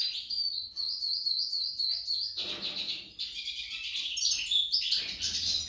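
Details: Female goldfinch, called jilguera and likened to a hummingbird, singing a rapid, continuous high twittering of thin chirps and trills with sharp accents, dense and fast throughout with no other clear sounds.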